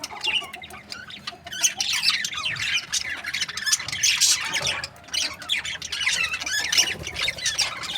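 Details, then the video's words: Budgerigars kept as breeding pairs chatter in a lively chorus of squawks, squeaky trills and rapid chirps, with a brief lull near the middle. "Amazing budgie chirping sound | breeding pairs"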